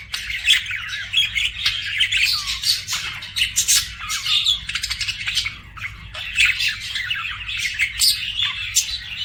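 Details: Budgerigar keeping up continuous scratchy warbling and chirping, dense rapid notes with occasional sharper squawks and brief pauses, steady low hum underneath.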